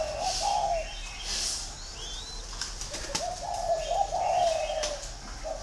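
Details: Green pigeon whistling in fluty, warbling phrases at the start and again after a pause, while another bird gives a thin rising note and scattered clicks.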